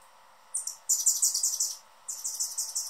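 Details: Anna's hummingbird, a male guarding his favorite feeder perch: two bursts of rapid high-pitched chipping, the first a long run of sharp notes, the second a shorter rattle-like series after a brief pause.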